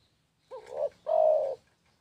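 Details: {'text': 'Spotted dove song phrase: a short, quavering two-toned note, a brief pause, then a longer, even, mellow coo lasting about half a second, with a quiet background.'}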